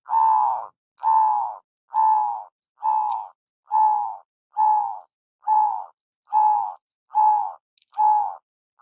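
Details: Local zebra dove lure sound: one mellow, slightly falling coo repeated about every 0.9 seconds, eleven times in a steady, even rhythm.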